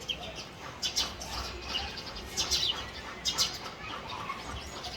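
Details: A male house sparrow (Passer domesticus) gives short, bright chirps in loose, irregular bursts, about one a second, over a steady background hiss.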